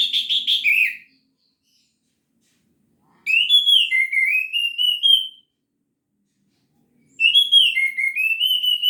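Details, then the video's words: Orange-headed thrush singing 'gacor teler', full material: three loud phrases of rich, rolling whistles, each a couple of seconds long with dipping then rising slurred notes, separated by quiet pauses of about two seconds. "Anis Merah Gacor Teler full materi"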